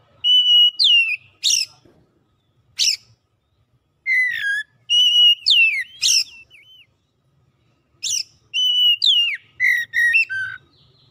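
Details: Oriental magpie-robin song played to stimulate a bird that has stopped singing: loud clear whistles held near level then sliding downward, with sharp high rising notes, in bursts separated by short pauses.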